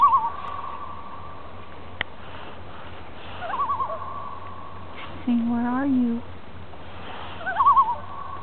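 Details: A loon on Casey Lake near Francois Lake, British Columbia, gives wavering tremolo calls around a steady held tone, three bursts a few seconds apart, while someone fishing speaks briefly in the middle.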